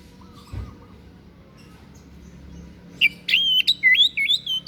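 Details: Unusual white-breasted bird song for training caged singers: after three seconds of faint background noise, a lively series of bright, twisting whistled chirps arrives in quick succession.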